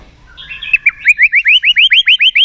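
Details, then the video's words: White-rumped shama (murai batu) delivering a quick, steady series of identical rising whistled notes, roughly six per second, after a brief softer lead-in. "Keganasan murai batu diam jadi rajin bunyi kembali"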